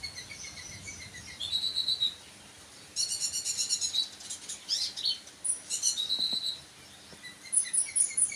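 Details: Sunbird song of varied high twittering phrases: thin whistles, fast buzzy trills and rapid chattering runs, broken by short pauses.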